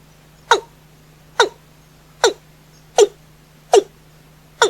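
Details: Night-time watercock call: six abrupt, descending, clucking notes repeated at a fairly even pace, about one every 0.8 seconds, with a constant low hum behind them.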